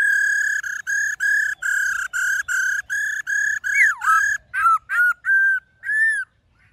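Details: Black-throated laughingthrush singing in the wild-style, many-voiced manner, played to train caged birds: a long run of loud, clear whistled notes repeated about twice a second, then a dipping slurred whistle and quicker varied phrases.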